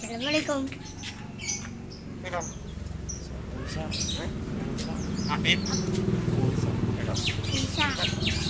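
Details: Javan myna with yellow eyes mimicking human words and a cough; short harmonic, voice-like syllables with bending pitch near the start, then scattered chirps and clicks over a steady low room hum.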